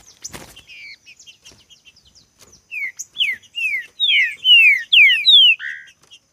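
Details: A green-winged saltator in a singing contest: after soft scattered chirps and a sharp click, a loud burst of rich whistled notes, each sliding downward, comes in quick succession.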